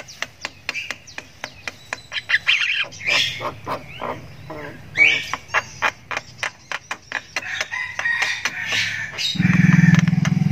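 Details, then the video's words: Javan myna chick giving a long ngriwik, chirping while learning to vocalise: rapid dry clicks mixed with harsh squawky bursts, a steady low hum under it that swells near the end. "ANAKAN JALAK KEBO SULTAN NGRIWIK PANJANG"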